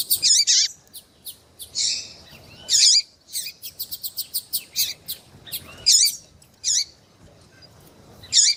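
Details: Rusty-collared seedeater female calling to stimulate a male, with dense high chirping, loud looping whistled notes recurring irregularly, and a rapid ticking run in between.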